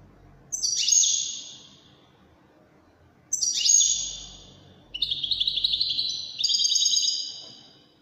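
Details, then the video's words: Wedani European goldfinch in song: two sharp downward-sweeping bursts followed by a sustained rapid twittering trill, high-pitched and ringing, over a soft low background rumble. "تغريد طائر الحسون الويداني"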